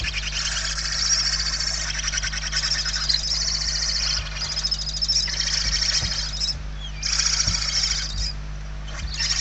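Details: Hungry barn owl chicks begging inside a nest in Spain, 28 November 2023: long, harsh, rasping hisses in rapid pulsed bursts, several overlapping, with pauses between runs over a steady low hum.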